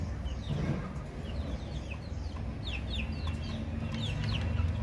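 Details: Baby chickens peeping: quick, high, downward-sliding chirps from several chicks, overlapping irregularly above a constant low hum.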